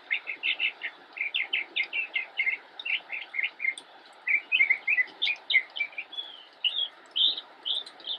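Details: Immature Northern mockingbird in a bush, Cabarrus County, North Carolina, 10 October 2016: dense phrases of repeated chirps, groups of similar notes giving way to new patterns and a longer slurred whistle.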